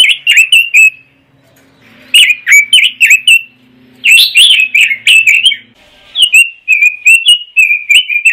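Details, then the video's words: Pekin robin chattering in ngoceh style, delivering three fast bursts of lively whistled notes separated by short gaps, while a soft low hum runs underneath. "Suara Kicau Burung ROBIN - Ngoceh"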